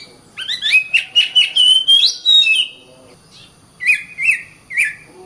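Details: Oriental magpie-robin (kacer) singing: a quick run of bright, slurred whistles climbing and falling, then a pause and three short, clear whistled phrases; quiet background.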